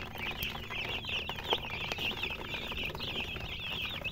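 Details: Chickens chirping near a hen: bright, slightly down-slurred peeps repeated rapidly by many birds at once, with occasional clicks.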